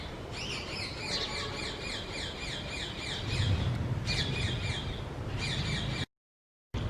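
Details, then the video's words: Shikra, a small hawk, calling in the morning: rapid runs of sharp, high, chattering notes, about four per second, in bursts with short pauses, over steady low background noise. "Hawk (Kite, Shikra) Making Peculiar Sounds In Morning."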